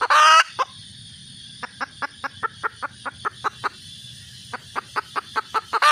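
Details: Red junglefowl hen calling for a mate: an opening loud harsh blast, then two rapid runs of short, clipped clucks separated by a pause, with another harsh burst at the end.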